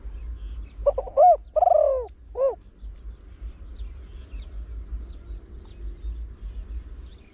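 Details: Spotted Dove, a trained bird with a large, deep voice, singing to attract wild birds in the 'khan yon 1 kuk' style. One quick phrase of short notes, an arched coo, a long sliding coo and a brief end note, then several seconds of quiet hum.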